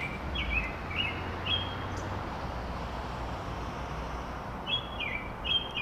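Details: An American robin, the first of spring, sings from a tree outside a library in urban Chicago. It gives short groups of clear, slurred, rising and falling whistles with pauses between bursts over steady traffic rumble, possibly marking territory.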